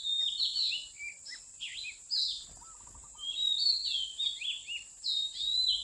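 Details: Oriental magpie-robin, wild, recorded while being trapped by mountain people: varied whistled phrases of rising and falling notes in two bursts with a brief pause between, and a faint steady high whine behind them.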